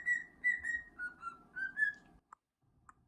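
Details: Pet male cockatiel enjoying a scratch and whistling five or six bright, level-to-falling notes in quick succession, then stopping, leaving two faint clicks over a quiet room hum.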